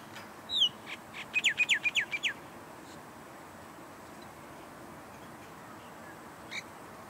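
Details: Among several non-native Common mynas on a dried patch of Australian wetland, one bird gives a loud falling note, then about eight rapid, even downward-slurred whistles, with a single later note and quiet background.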